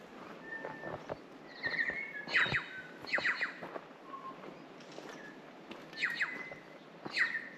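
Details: New Zealand bellbirds in untouched native Pureora Forest, New Zealand, sing clear, ringing bell-like notes mixed with quick downward sweeps and harsher chattering bursts, in phrases about a second apart.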